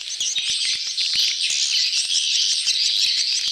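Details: Busy swiftlet flock in a mating, gathering chorus called betompok; tightly packed high chirps and dry clicks stream without break, loud and steady throughout.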